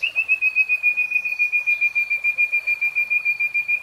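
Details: Common nightingale delivering a fast, steady run of identical piping notes, around fifteen every two seconds, held at one even pitch for the whole stretch.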